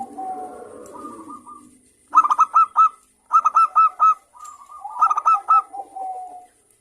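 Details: Morning song of a local zebra dove in full voice: soft low cooing first, then three bursts of rapid staccato coo notes, each group of four or five, ending in a drawn-out mellow coo.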